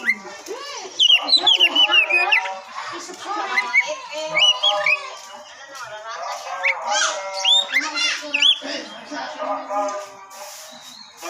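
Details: Oriental magpie-robin (kacer) song used to provoke and test the temper of other birds: varied whistled phrases, rising and falling slurs and scratchy chatters delivered in rapid succession.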